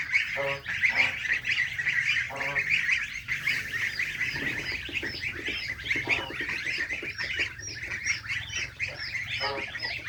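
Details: Baby and adult farm geese eating fresh grass near a pond on a small countryside farm; a continuous busy chorus of nasal honks with stuttered calls, mixed with many short high thin peeping notes, over a low background hum.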